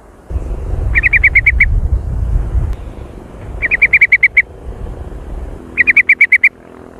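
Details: Yellow-vented bulbul (trucukan) giving three short bursts of about seven rapid, bright, even chattering notes, roughly two seconds apart, over a steady low rumble like a passing vehicle.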